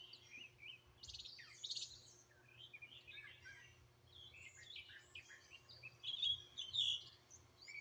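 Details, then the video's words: Backyard birds in Greenville, South Carolina singing together, captured by phone: overlapping high chirps and short warbled phrases about twice a second, growing louder near the end, with a low steady hum. "Bird Chirping Sounds"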